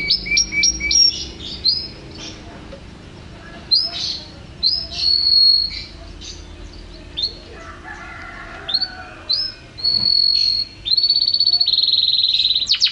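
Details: Canary singing: a varied series of high whistled notes, quick trills and sustained tones, with bursts separated by short pauses and a long steady whistle near the end.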